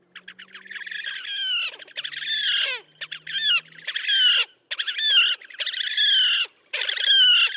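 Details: Slavonian grebe, wild, recorded at Gavieze in Latvia during May 2024, giving loud squealing trills in bursts of about a second, separated by short silences, some notes sliding downward, with a faint low hum beneath.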